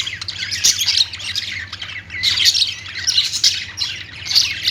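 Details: Budgerigar chirping: a dense, nonstop chatter of rapid squeaky notes and scratchy warbles, swelling in louder bursts about every second, with no other clear sounds behind it.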